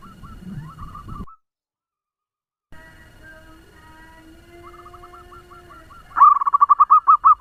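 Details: Local lure zebra dove with a fast song. Soft repeated coos open, then a silent gap and steady humming tones. A loud, rapid run of rolling coos closes the recording.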